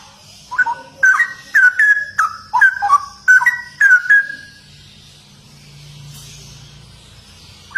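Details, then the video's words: Straw-headed bulbul song of the ropel type: a four-second torrent of loud, bubbling whistled notes, rising and falling, roughly eight bursts in quick succession, then quiet with faint low background rumble. "Burung CUCAK ROWO Gacor Dor Abis Viral ROPEL"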